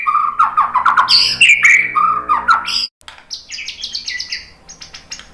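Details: A white-rumped shama sings energetically, meant to stir other birds into song: hurried chattering and whistled slurs, a short break, then a quieter series of high repeated notes.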